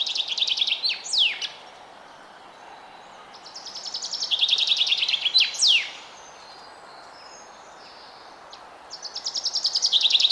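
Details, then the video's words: Forest bird singing in early spring: bright rapid trills of repeated high notes, each phrase broken by sharp downward-sweeping whistles, three phrases separated by quiet pauses, faint background hiss. "Forest Bird Chirping Sound"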